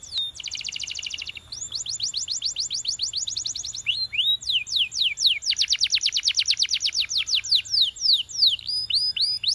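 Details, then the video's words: Belgian canary singing a training song: a fast buzzy trill high in pitch, then a run of quick rising-falling notes, then rapid sweeping trills with scattered sharper notes. "Belgian Canary Sound That Every Canary Loves"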